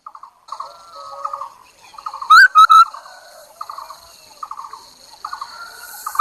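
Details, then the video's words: Lure Chinese hwamei song with mostly soft, repeated chattering trills and short buzzy phrases, broken once by a loud burst of three ringing whistled notes. "Tiếng chim họa mi đất mồi || Suab noog kaim kauj quaj cuab tuaj"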